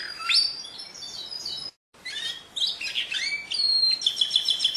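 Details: Canary song of varied high chirps and down-slurred notes, broken by a brief silent gap, then ending in a fast, buzzy, pulsing trill.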